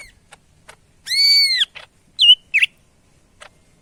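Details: Greater green leafbird, Medan type, giving one long loud arched whistle, followed by two short twisting slurred notes and a few faint clicks.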